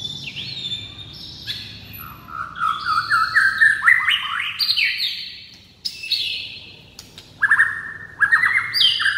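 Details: White-rumped shama singing a stirring song of many phrases. It pours out rich, varied whistles: high flat notes, then rising slurred runs in quick bursts, broken by brief pauses. A faint low hum sits in the background.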